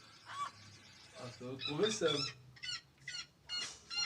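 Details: Red-legged seriemas making noise: loud, harmonic yelping notes, several short yelps repeated about every half second; a person talks in the background.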